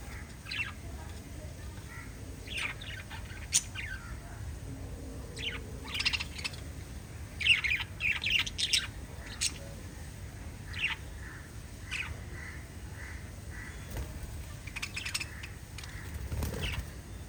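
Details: Five lovebirds calling: scattered high chirps and short harsh squawks, clustering into a lively flurry midway, then thinning to isolated sharp notes over a low background hum.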